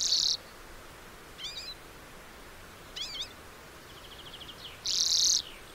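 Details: Lesser redpoll with loud buzzy rasps at the start and end, separated by two bursts of wavering zigzag twitters and a short rapid high trill.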